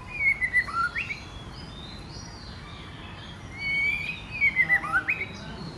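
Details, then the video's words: Female White-rumped shama stirring males to sing and fight: two bursts of fast, clear, slurred whistles, each a quick rhythmic series of notes, separated by a quiet gap with background hiss. "CHOÈ LỬA MÁI KÍCH TRỐNG TẠCH + HÓT muraI betina fighter, murai jatan auto ngamuk."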